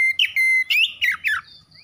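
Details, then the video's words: Short magpie-robin phrase: a long steady whistle, then quick rising and falling whistled notes ending in a faint high tone, with a low hum in the background. "KACER SETRES MACET BUNYI LANGSUNG GACOR"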